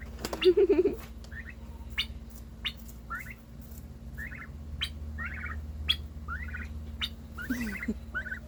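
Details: Turkey named Aster giving a brief low harsh burst, then short high chirping notes about once a second, with clicks and a low hum behind; described as a new noise made when its sibling got more attention, seemingly wanting attention.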